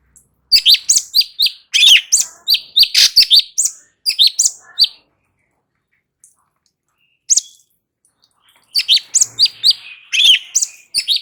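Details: Light-vented bulbul in continuous ngebren singing, recorded for training other birds to respond. Dense runs of high, quick chirps and twisting whistles pour out for about four seconds, then stop briefly and resume just as busily.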